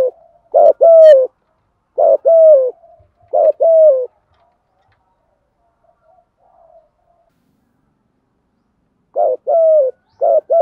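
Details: Spotted dove giving a coaxing coo used to train and stir up other doves, in the rapid, steady style likened to an industrial sewing machine: short low mellow coo phrases in groups of two or three, then a long silence before more phrases.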